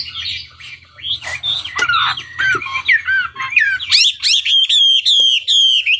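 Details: Hwamei song for luring other birds to answer. Harsh scratchy notes and slurred squeaks are followed by crisp whistled phrases that repeat rapidly, with a faint low hum underneath.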